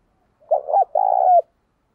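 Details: Lure spotted dove giving one cooing phrase: two quick rolling notes then a sustained, slightly wavering coo ending in a short drop.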